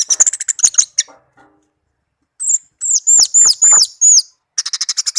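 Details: Song of a tame captive orange-headed thrush, offered as a lure for non-singing birds: quick high chirps, a silent gap, then loud drawn-out whistled slurs, ending in a rapid string of short high notes.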